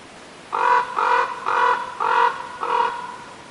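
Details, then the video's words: Raven uttering five drawn-out, nasal croaking calls, each about a quarter second long and spaced about half a second apart, against a quiet hissing background. "Raven Bird Sounds"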